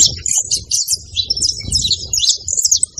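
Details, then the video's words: A group of saffron finches on a farm give quick, bright, high twitters in an unbroken jumble, over a noticeable low background rumble. "os canários da fazendo barulho"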